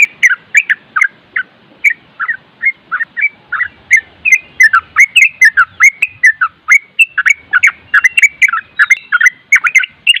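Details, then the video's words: Yellow-vented Bulbul in nonstop nropel song for tutoring: rapid bubbling whistles and chirps, overlapping phrases growing denser toward the end, with a faint low thump now and then. "Masteran trucuk nropel dan suara angin bikin trucuk setres nyaut"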